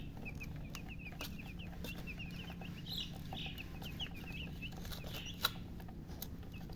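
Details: Freshly hatched chickens peeping loudly, a long rapid series of short high chirps, some doubled, continuing across the whole stretch above a low steady hum, with one sharp click late on.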